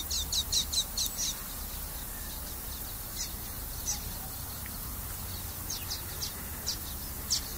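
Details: Common waxbill singing: a quick run of bright, high chirps at the start, followed by sparser single notes spaced about a second apart over constant background noise.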